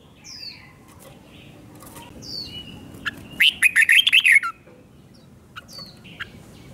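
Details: Caged red-whiskered bulbul singing a 'double' style song, used to teach young birds to copy: one burst of about eight quick, warbled, rising-and-falling notes in the middle, with soft chirps before and after.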